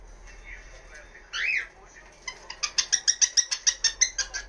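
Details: Pet cockatiel kept indoors, calling "kikiki" as part of its routine around 1 pm: a single rising-falling whistle, then a fast, even run of about a dozen sharp, clipped, high chirps, roughly three each second.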